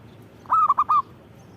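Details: Zebra dove, given by its local name perkutut and described as singing actively: a single low cooing phrase of four quick rolling notes, the last ending in a short drawn-out coo, over a faint steady background hiss.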